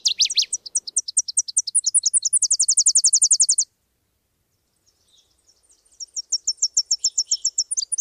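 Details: Sylvia cantillans, the Subalpine warbler, delivering a long, fast, very high trill of dense repeated notes lasting over three seconds, then a pause and a thinner, quieter high chattering phrase.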